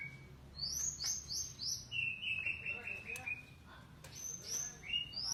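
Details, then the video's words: Golden white-rumped shama singing a varied series of clear whistled notes, some sliding downward, others held flat, with sharp high clicks between phrases; low background hum throughout. "kicauan burung murai batu golden shama"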